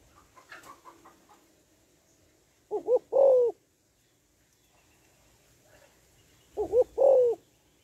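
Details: Female spotted dove coos to excite and draw in males. Two phrases, roughly four seconds apart, each of two quick hooting notes and a sustained, gently falling coo. Faint scattered noises come earlier.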